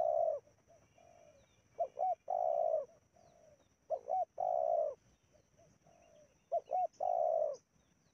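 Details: Repeated cooing of a spotted dove used to lure wild doves in Indonesia. Soft short coos and quick doubled notes lead into long, warm, sustained coos, phrase after phrase, over a steady faint high hum.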